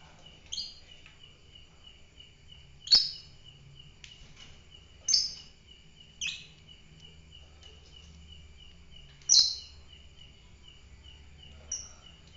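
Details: Fighter lovebird giving scattered sharp, screechy chirps, six separate bursts at irregular intervals of one to three seconds, with a constant high whine and soft low rumbling in the background.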